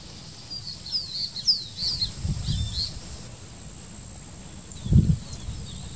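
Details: Chiloe wigeon near the mouth of the Maldonado river, Uruguay, in December 2021, gives a few faint, high whistled notes that swoop up and down, spread over about four seconds, over steady low rumble and rustling.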